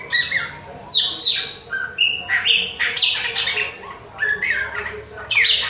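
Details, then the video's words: Bahian chopi blackbird in continuous song toward other birds, giving clear whistles and steep downward-swept notes in irregular bursts, about one phrase per second, with brief pauses between loud spurts. "PÁSSARO PRETO BAIANO NÃO PARA DE CANTA NA CARA DOS OUTROS !"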